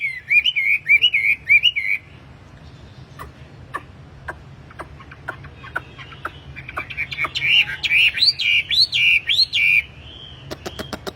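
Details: A tame, vigorously singing caged wambi gives warbling, looping whistled phrases at the start and end. Between them comes a stretch of scattered sharp clicks and ticks.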